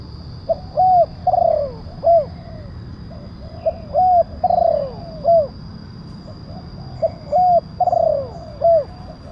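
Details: Big-voiced spotted dove calling in the kuk 1 style, used as a lure and master song. Phrases of two quick rising hoots and a drawn-out downward coo recur roughly every three seconds over a low hum.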